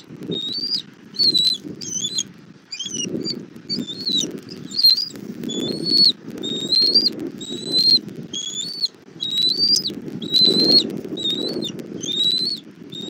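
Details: Bald eagle at a Southwest Florida nest camera, 1 April 2024 at 17:30, as a parent brings food to its chick: rapid high, thin chirping notes in short bursts, roughly every second, over steady low rustling and wind-like rumble.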